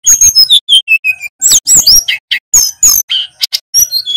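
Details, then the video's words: Local male Sunda bush warbler from Pacitan in full, varied song: a string of clear falling whistles, short repeated notes and harsher chattering bursts delivered quickly with little pause. "Burung SULGUN Jantan GACOR"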